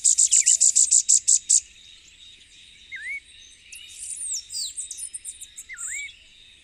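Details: Elfin-woods warbler, a species endemic to Puerto Rico, singing a very high, rapid series of about ten sharp, even notes over 1.5 seconds. Scattered high chirps and upslurred whistles from other animals follow, over a steady insect hiss.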